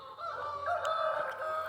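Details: A chicken on a rural smallholding gives one drawn-out, strained call about a second and a half long, steady in pitch with a slight rise mid-way; nothing else stands out.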